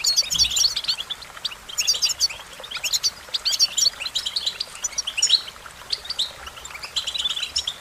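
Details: Song of an American goldfinch, a lively run of high, thin chirps and twittered slurs, bunched in clusters roughly every second with brief pauses between, set against soft outdoor ambience.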